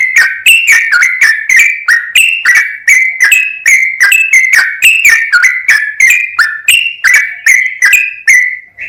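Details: Long run of mellow, liquid whistles from a sooty-headed bulbul in energetic, continuous song, used as a training recording to set other bulbuls singing; each note slurs and bends, repeated in a steady rhythm of about three per second.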